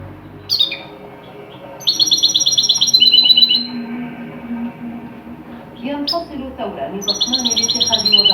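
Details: A European goldfinch sings a Tunisian-style song phrase used for training goldfinches: bright, tinkling twittered phrases in quick bursts, with faint narration and music murmuring underneath.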